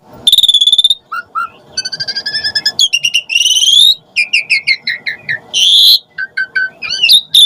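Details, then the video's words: Asian pied starling recording used as a lure to make starlings respond and sing: loud, varied song of high whistles, short rising notes, buzzy trills and rapid stuttering bursts, nearly continuous with brief gaps. "Suara Jalak Suren Auto NYAUT Emosi Cepat RESPON Buat Pancingan Burung Jalak Agar Gacor Full Isian"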